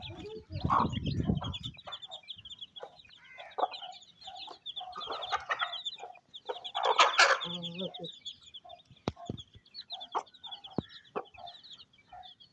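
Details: Mother hen feeding her chicks on a rainy day in a Pakistani village: dense, continuous high peeping from the chicks over short, low clucks from the hen, with a low thumping rumble in the first second.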